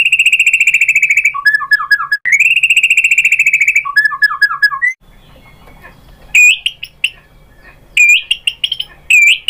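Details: White-rumped shama song used as a lure to provoke other shamas into answering. It opens with long buzzy trills of rapid notes, then short falling slurred phrases, then a quieter pause with faint background noise, followed by sharp bright whistled notes.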